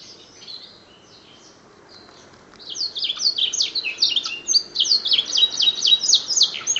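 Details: Prize-winning canary imitating black-throat song: after a quiet start, rapid high chirps follow in a quick repeated series of sharp, sliding notes, about four a second.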